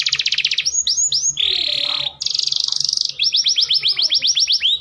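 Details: Domestic canary mating lure song, used by a breeder to raise males' breeding drive and speed pairing: a rapid high trill, looping whistled slurs, a broad buzzy rattle, then a fast run of rising notes.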